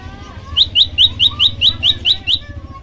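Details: Energetic song of a tailorbird called prenjak lumut in a training recording: nine sharp upward-sweeping chirps in quick succession, over low humming background noise.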